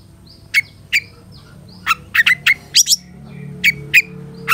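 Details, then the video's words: Caged-bird training recording of a long-tailed shrike: clipped, sharp chip notes with brief whistled tails, loosely spaced and sometimes paired, over a low background hum. "Masteran Suara Cendet Satu Titik Nagen"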